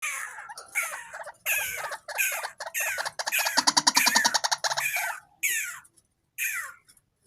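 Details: Tame white-breasted waterhen raised from a chick, calling at any time: loud harsh croaking notes and descending squawks run together in a fast rhythmic chorus, then break into separate falling calls.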